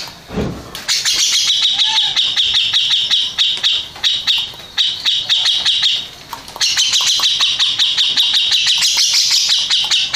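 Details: Grey-cheeked bulbul, first-place contest winner, pouring out long runs of fast harsh high chatter with a thin whistle early on and a brief pause midway.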